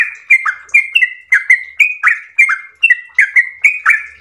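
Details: Yellow-vented bulbul (trucukan) singing a long, lively 'ropel' song: rapid rolling phrases of sharp bubbly notes, each clicking start dropping into a short level whistle, about three notes a second with no gaps.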